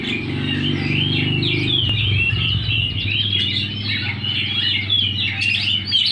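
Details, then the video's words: Oriental magpie-robin in full song, tail spread: a continuous stream of quick chirping and warbled notes, several phrases a second, with a constant low droning hum underneath. "Burung Kacer gacor buka ekor ngotot"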